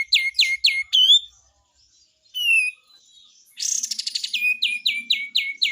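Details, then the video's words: Cream-vented bulbul in full besetan song: three sharp downslurred notes and a rising whistle, a lone slurred note after a gap, then a dense buzzy rattle leading into a quick series of downslurred chirps. "SUARA BESETAN KAPAS TEMBAK ‼️ GACOR ‼️"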